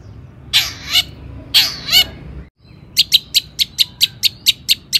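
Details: Long-tailed shrike in strong song, used to provoke other shrikes into singing: two harsh, buzzy bursts, a brief pause, then about ten sharp, clipped notes in quick, even succession.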